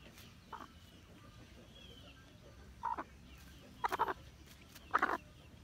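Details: Hmong black chicken calling with a soft cluck followed by three louder, rough clucks at irregular intervals of about one second, against a low background hum.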